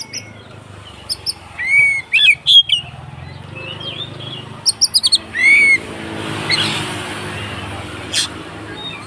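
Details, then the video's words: White-rumped shama fighting song, used to provoke other shamas: short arched whistles and ringing chips in two bursts, then a fading hiss and low hum. "SUARA BURUNG Kacer konslet TARUNG untuk PANCINGAN KACER agar ikut KONSLET"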